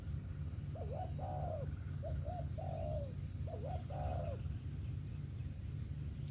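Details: Spotted dove in 'sấm thổ' style cooing three phrases, each a short bent note or pair of notes leading into a long, mellow, downward-sliding croon, then silence apart from a steady low hum.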